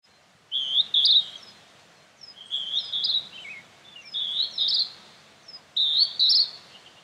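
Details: Northern hawk-cuckoo song in Urahoro, Hokkaido, Japan, on June 17, where it is an uncommon summer visitor: shrill, high two-note 'jū-ichi' phrases, each rising, repeated about every one and a half seconds, with faint chirps from other birds.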